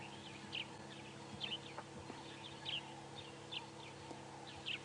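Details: A grey-headed sparrow in the dawn chorus on an early-morning safari drive, Sabi Sand, South Africa, April 28, 2016, gives bright, sharp 'chip' notes about once a second, five in all, over a steady low engine hum.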